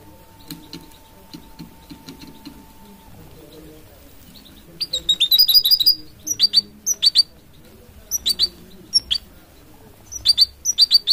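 Goldfinch-canary mule song: bright, high chirps and quick twittering trills in bursts, starting after a few quiet seconds with a faint steady hum.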